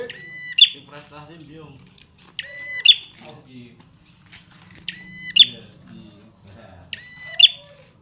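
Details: Prinia, described as partly in full song, delivering a buzzy harmonic note ending in a sharp click four times, about every two seconds, over soft human voices and low background hum.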